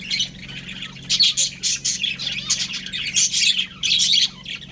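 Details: A breeding pair of budgerigars kept as pets gives bursts of shrill, buzzy chirps and squeaky warbles, several in quick succession, with a constant low electrical hum underneath.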